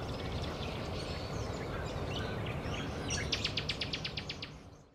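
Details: Variegated fairywren in Australia gives thin, high scattered chirps, then a quick run of about ten sharp, evenly spaced high notes, over a steady low rumble of wind or distant traffic.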